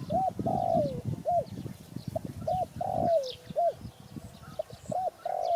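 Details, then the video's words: Cooing of a spotted dove: quick hooked notes leading into a longer coo that slides downward, repeated about every one and a half seconds, with soft low thumping and faint distant chirps. "Sound Spotted Dove"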